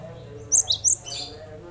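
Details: Cinereous tit sounds meant to prompt other birds to sing: three quick, very high, bright chirps in under half a second, with a low background hum.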